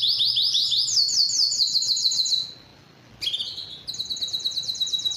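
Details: Canary singing a fast rolling trill of repeated notes, falling silent for under a second, then resuming with a sharp note and another high pulsed trill.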